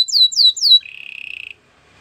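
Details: Short canary phrase: three loud descending whistled notes followed by a soft, even, lower trill that fades out.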